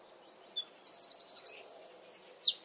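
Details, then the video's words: Eurasian wren in a garden delivering a brief, piercing song: a short lead-in note, a rapid evenly spaced trill of high notes, then sharp whistled flourishes; faint low background murmur. "Wren Song"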